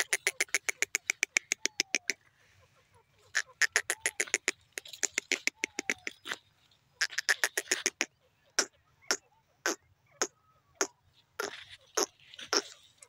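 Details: Teetar, the grey francolin, gives long runs of rapid, harsh, ticking notes that break into separate bursts and then slow to spaced single notes near the end, against a quiet background.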